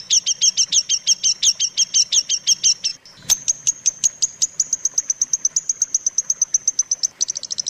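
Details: Long-tailed shrike training song for teaching other shrikes: quick repeated high chips in a steady pulse, a sharp click near the middle, then a long even series of thin, very high notes speeding up at the end.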